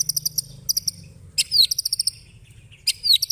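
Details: White-rumped shama singing in the cililin style with long rough chatter, called ngekek panjang kasar; here short bursts of high, sharply repeated notes come in three quick clusters, with a brief downslurred whistle, over near silence.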